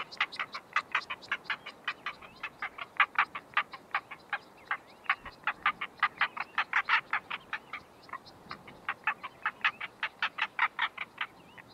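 A male Northern black korhaan gives a long run of harsh, rasping notes, about two a second, steady in pitch, against a quiet background.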